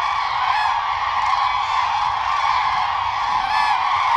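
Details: A dense chorus of common cranes during the mating-season courtship dance: loud, rolling trumpeted calls overlapping without pause, many birds calling at once.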